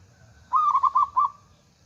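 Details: Female local zebra dove (perkutut) from Indonesia calling a male, used as a lure call: one rolling phrase of four soft, mellow coo notes, the last set slightly apart.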